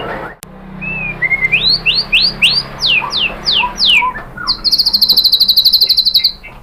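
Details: White-rumped shama song used to provoke other shamas into singing: rising whistled notes repeated about three per second, then a fast high buzzy trill; faint low hum beneath.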